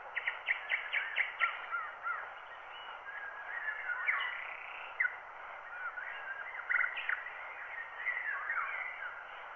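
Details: Wild birdsong captured by microphone, then cut onto a black wax cylinder at 90 rpm: a quick series of sharp repeated chips opens, followed by scattered whistled phrases and short warbles, all thin and band-limited beneath constant hiss.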